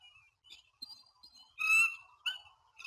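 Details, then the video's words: At Standley Lake, Colorado, on 21 April 2020 around 07:06, a male bald eagle courting a new female gives thin, high, squeaky piping notes, with one louder chittering burst near the middle and a shorter one after. "Bald Eagles"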